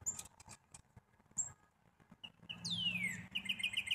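Black-capped chickadee giving high, thin chip notes, a swift falling whistle, then a run of buzzy, rapid 'dee' notes; faint low rumble beneath.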